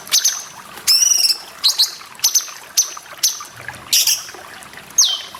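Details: Grey-cheeked bulbul (cucak jenggot) in a masteran recording with water sounds for training cage birds. Sharp, high whistled notes and quick downslurs come in separate bursts over a steady rushing-water background.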